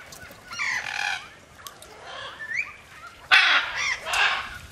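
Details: Free-flying macaws call with coarse, grating squawks mixed with shorter bent, upslurred notes, ending in a sudden loud raucous burst.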